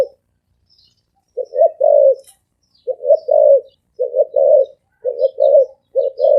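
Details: Rapid cooing from a spotted dove with a deep, ringing 'ồm vang' voice: after a pause, five low hooted phrases follow one another about every second, each a brief note then a fuller, slightly wavering coo.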